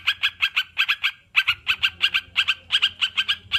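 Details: Sooty-headed bulbul, a kept bird, giving rapid clusters of short, bright, chattering notes in pairs and triplets, delivered almost continuously after a brief pause, over a faint low hum.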